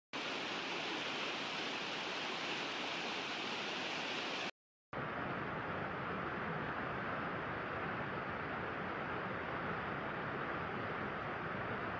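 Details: Steady broadband rushing noise like a waterfall or fast stream, with a brief silent gap near the middle and no animal calls.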